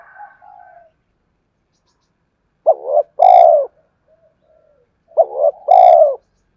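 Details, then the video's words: Spotted dove luring song, two phrases of a short double coo and a drawn-out falling coo, each with a brief high click, after a faint earlier murmur. "Tiếng chim cu gáy kích bổi nhanh nổi hiệu quả"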